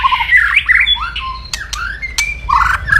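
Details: Aggressive white-rumped shama kretekan, a loud crackling song used to stir rival birds: fluid rising whistles broken by sharp cracking clicks and buzzy slurs, strong and fast.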